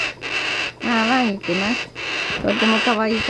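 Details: Umbrella cockatoo chick giving nasal, wavering harmonic calls in three bursts, each a run of quick rising-and-falling notes, over a steady background hiss.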